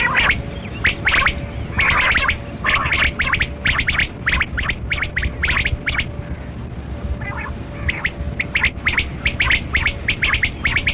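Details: Quail called kali kirak batera, recorded during a hunt: long, uneven series of clipped, chirping notes in dense bursts, pausing briefly midway, then resuming in tight groups over constant low background noise and faint hum.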